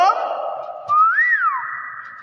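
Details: Talking common hill myna imitating speech: a voice-like harmonic phrase opens the clip, then a clear whistle climbs into a rounded hump, falls away and settles into a long, level sustained tone.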